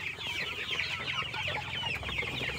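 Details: A crowd of native (desi) farm chicks peeping continuously as they restlessly wait to be fed: high, thin cheeps overlapping in a dense chorus, with a low background hum.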